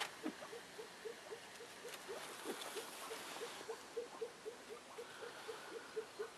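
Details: A female Elliot's pheasant, just arrived, gives a rapid chain of soft low clucks, about four a second, over a hissing background with a few faint thumps.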